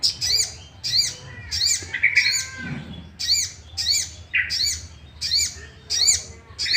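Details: Sooty-headed bulbul sound meant to make other bulbuls sing agitatedly: quick, high, arched notes tumble in pairs and triplets, mixed with a few lower buzzy notes and a brief low murmur.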